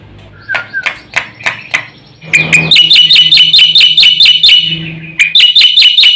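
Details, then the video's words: Black-winged myna singing with full variety. Soft, scattered chirps lead into a loud, fast run of ringing, metallic notes that stops briefly and then starts again. "suara jalak putih GACOR FULL ISIAN"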